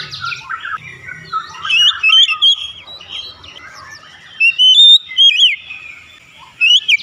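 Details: Oriental magpie-robin (kacer) song used as therapy to get birds quickly opening their beaks: varied whistled phrases with quick chattering notes early, then loud bursts of sliding whistles near the middle and again toward the end.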